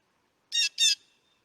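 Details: Blue Jay from a winter birding guide for Manitoba. Two quick harsh nasal notes come back to back in under half a second, rough and squawking, with quiet background.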